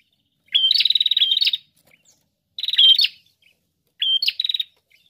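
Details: Prinia in full, lively song (gacor): three bursts about every two seconds, each opening with a short high whistled note and running into a fast, dry, buzzy pulsed trill lasting about a second, with silence between bursts.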